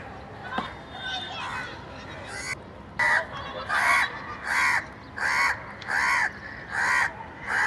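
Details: Crow caws start after a few seconds of low murmuring, then come as a regular run of harsh, nasal calls, about seven spaced evenly under a second apart.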